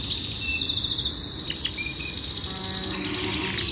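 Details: Yorkshire canary delivering a powerful training song: mixed twittering and short whistles, then an intense rapid rolled trill of evenly spaced pulses, bright and high-pitched.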